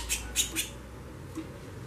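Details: Female white-bellied seedeater calling a lot, giving three quick, bright chips in under a second, then a faint fourth note.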